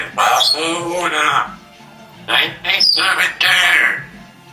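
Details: A pet African grey parrot talks in bursts of human-like words, with clear, slightly raspy voice tones and short pauses between phrases, in a small indoor room.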